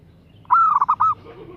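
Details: Female zebra dove calling a male: a single clear coo phrase of a long note, a run of rapid pulsed beats and a closing drawn note, followed by a faint soft lower call.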